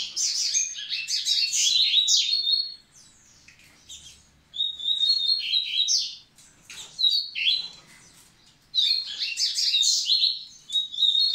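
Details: Double-collared seedeater singing to excite females: three loud bursts of rapid, jumbled chirps, trills and whistled slurs, each lasting two to three seconds, with near-silent breaks between them.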